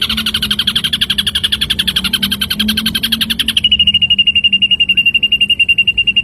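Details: Songbird training recording of an ashy drongo: a long harsh, buzzy pulsed phrase over a faint low hum, then a thin, high trill of fast, evenly repeated notes.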